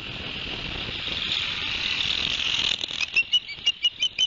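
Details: Osprey pair's nest at Barnegat Light, 11 September 2021, live nest camera, after the male brought two fish for the young: broad hissing noise, then a quick run of short high whistled chirps, about two per second.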